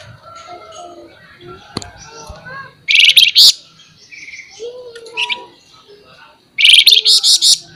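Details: Flamboyan bird singing in lively 'nembak nyerecet' style: two loud harsh, rapidly pulsed high bursts a few seconds apart, with softer twittering and faint background chatter between them.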